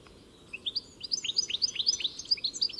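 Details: European goldfinch singing: a run of quick, bright, upward-flicking twitters that begins after half a second of quiet and grows denser and louder toward the end.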